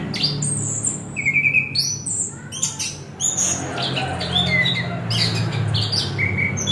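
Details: Orange-headed thrush song: a clear sustained whistle, then dense clusters of chirps, trills and falling whistled notes, over a low droning hum.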